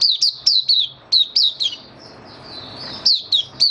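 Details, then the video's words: Caged white-eye (mata puteh) in song, recorded 23 March 2022 while its diet was being adjusted for warm humid weather; bright high chirped notes, each dropping in pitch, come in quick bursts of two or three, then a soft pause. "Mata Puteh Kitaro Video 1 buka sing"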